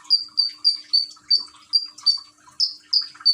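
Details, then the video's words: Common iora, a kept bird in Gresik, East Java, Indonesia, recorded on an Android phone with trickling water played as singing therapy: short high piercing chirps repeated about three times a second, softer water patter beneath. "Burung konin rajin bunyi dengan terapi gemercik air"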